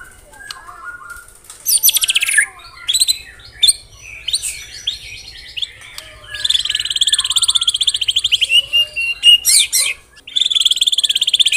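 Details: White-rumped shama singing in dense 'tembakan rapat' (rapid-fire) style: scattered bursts of shrill chatter and short notes, then long rapid buzzy trills repeated several times, some very fast and rattling.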